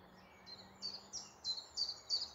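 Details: Morning woodland bird song near Malton, North Yorkshire: a series of six or seven loud, piercing high notes repeated at an even, quick pace and growing stronger, with little other sound.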